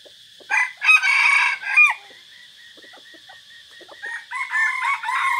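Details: On 3 April 2024 in forest, a decoy red junglefowl, one of several birds, gives a loud ragged crow lasting over a second, then low clucks, then a second crow building at the end, with a steady high-pitched insect whine throughout.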